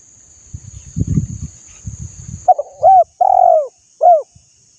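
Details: Spotted dove kept as a cage bird, cooing to stimulate untrained doves: low thumping knocks first, then one phrase of a brief stutter, a slurred note, a long falling coo and a clipped final note.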